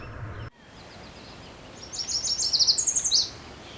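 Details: A Yellow Warbler at Somenos Marsh, Vancouver Island, British Columbia, sings its "sweet sweet sweet" song: a quick, bright, high phrase of about a dozen notes that climbs higher before ending on a dropping note. A faint low rumble comes first.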